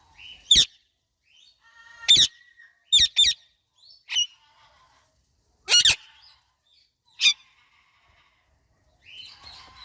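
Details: Indian ringneck parakeet kept as a pet, calling alongside an Alexandrine parakeet: isolated piercing chirps, some doubled, spaced one to two seconds apart with silence between.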